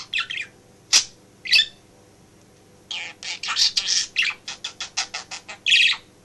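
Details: Male pet budgie in a home office, chattering and mimicking speech while its owner works; a few scratchy bursts, then a fast run of clipped syllables and warbles, low hum beneath.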